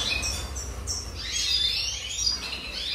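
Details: Red siskin song from the 2023 season: a rapid run of high twittering and chirping notes with short rising and falling whistles, over a low steady rumble of background noise.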